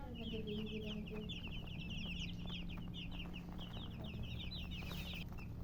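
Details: Colour chickens with a hen chirping: a dense flock of short, high, rapid peeps overlapping continuously throughout, over a steady low electrical hum and faint background noise.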